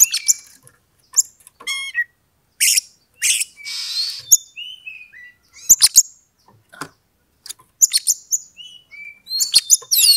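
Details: Oriental magpie-robin singing to stir a rival into fighting: a varied, continuous stream of harsh buzzy bursts, sharp clicks and short whistled slurs, delivered rapidly with brief gaps.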